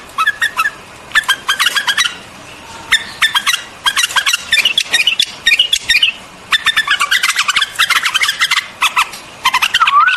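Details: White-eared bulbul song: clusters of fast, sharp chirps separated by short gaps, ending with a brief rising whistled note.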